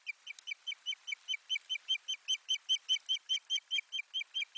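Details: Osprey at the nest, 1 May 2020, carrying soft nesting material: loud, rapid, very regular whistled yelps, around three per second for the whole stretch, with slight clicks above.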